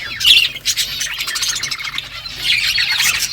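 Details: Budgies in a morning flock chatting together: harsh raspy squawks and warbling chirps in a steady, crowded stream, louder at the start and near the end.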